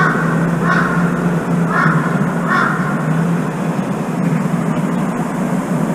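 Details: One of two crows coming to feed near apartments, the late arrival squawking to demand a turn at the food: three harsh, nasal caws about a second apart over a loud, steady traffic rumble.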